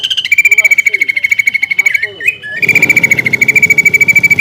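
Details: Greater green leafbird singing a lure song packed with mimicry of other birds' songs, meant to provoke rival leafbirds to fight. A rapid, steady trill of bright, even notes about seven per second runs on, briefly broken by lower twisting phrases.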